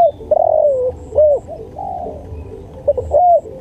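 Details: Spotted dove, known locally as tekukur, singing a master song for training; repeated mellow coos with rising and falling slurred notes, a long drawn-out middle coo, low background rumble.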